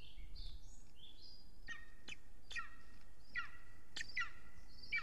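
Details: Golden eagle nest cam in Estonia, 6:53 pm, 3 June 2020, as an adult brings big prey: soft whistled notes, then five or so sharp downslurred yelps, fairly faint against steady low-frequency rumble.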